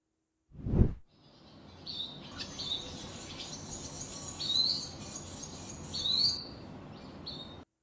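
A swallow gives a few brief, high chirps spaced a second or two apart, over a steady background hiss after an opening thump.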